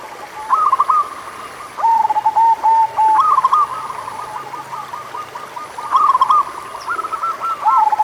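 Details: Local zebra dove (perkutut lokal) singing to coax reluctant doves: lilting coo phrases with rippling trills, softer overlapping coos from a second caller, recurring every few seconds over a faint high tone.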